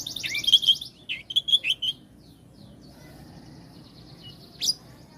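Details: Oriental magpie-robin: a falling buzzy note leads into a run of sharp whistled notes repeated several times within two seconds, then a thin sustained high tone and one abrupt squeak over quiet background.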